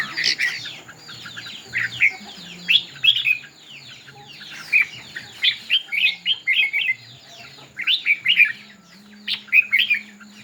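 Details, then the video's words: Red-whiskered bulbul singing in a contest with spread tail, giving many short, lively warbled phrases in quick succession across the whole stretch, with a faint steady high hum behind. "Chim Chào Mào Hót Đấu"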